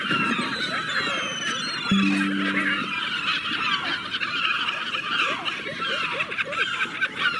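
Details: A crowd of gulls crying over one another, harsh falling calls and quick repeated notes, with a brief steady tone early on.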